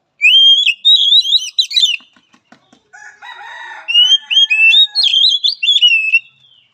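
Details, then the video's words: Oriental magpie-robin song used as training and therapy for a timid, weak-spirited bird: loud, rich whistled phrases with quick up-and-down slurs, a brief pause with faint clicks and a low buzzy burst, then more varied whistling. "Latihan Suara Terapi Kacer Lemah Mental"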